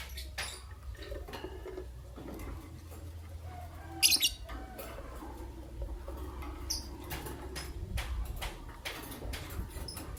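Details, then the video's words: Green personata and albino lovebirds in the morning: scattered short, sharp chirps, with one loud squawky burst near the middle, over a steady low background hum. "The melodious chirping sound of Green Lovebird Personata & Albino Lovebird"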